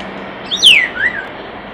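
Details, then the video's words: Common starling near a nest box giving a single slurred whistle that drops steeply from high to mid pitch, then a softer rising-falling note, over faint steady background hiss. "Common Starling Bird Song and Call By Nest Box, Starling Nature Song Call, Vocalization"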